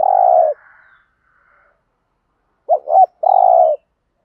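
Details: Spotted dove cooing, a thổ-voice singer used to stimulate decoy doves to coo: end of a long low coo, then a quick double note and a drawn-out steady coo, with silence between.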